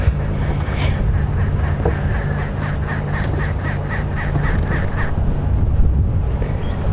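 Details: A Crested Francolin calls right beside a vehicle near a drainage line on an afternoon drive on 1 November 2015. It gives a harsh, strident run of about a dozen rapid, evenly spaced notes over four seconds, above a steady low engine rumble.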